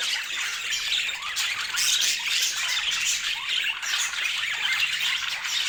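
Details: Brightly coloured pet budgies chatter steadily, a nonstop blend of high twittering chirps and scratchy warbled notes from several birds at once.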